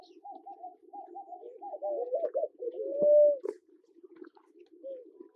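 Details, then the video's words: Namaqua dove (Oena capensis) in Kenya giving low, soft cooing notes in a quick series, then a longer smooth, drawn-out hoot; a faint low hum runs underneath. "Namaqua Dove, male, female and call"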